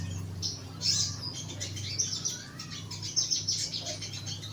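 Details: Young sogon, a bulbul, caged low down for song therapy, uttering sharp high chirps and brief twittering bursts over a steady low electrical hum.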